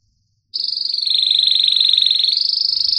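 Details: A domestic Gloster canary (Serinus canaria domestica), recorded in 2018, holds a fast, rolling trill of about twenty notes a second, high and steady, dipping slightly in the middle and then lifting again.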